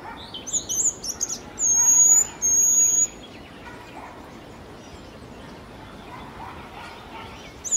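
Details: Jerdon's bush lark (Plocealauda affinis) song from Kerala: high, thin twittering notes followed by two longer sustained whistled phrases, then a stretch of near silence with soft distant chirping.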